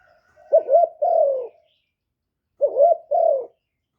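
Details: Decoy spotted dove calling to lure wild doves: two low, rounded coo phrases, each a quick stuttered double note then a drawn-out descending coo, separated by a short silence.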